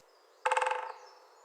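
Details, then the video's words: Great spotted woodpecker drumming its bill on a tree in woodland in early spring to advertise its territory: one quick rattling roll of about a dozen strikes over half a second, fading at the end, faint high bird calls behind. "That's a great spotted woodpecker drumming on a tree to advertise its territory."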